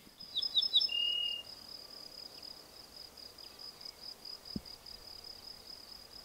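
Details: Ortolan bunting song: a ringing strophe of a few short, bright notes followed by a lower, drawn-out final note, then silence, over a steady high insect trill throughout.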